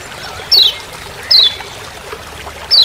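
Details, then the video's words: Forest "ciak ciak" calling of the Lombok yellow white-eye: three sharp high descending chips spaced roughly a second apart over a faint steady hiss. "Masteran Kecial Kuning Ciak Ciak Di HUTAN"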